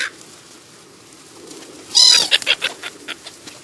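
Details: Black-headed gulls filmed in July in the New Forest, Hampshire, England: one harsh, grating call followed by a string of shorter clipped notes fading away, with quiet outdoor background.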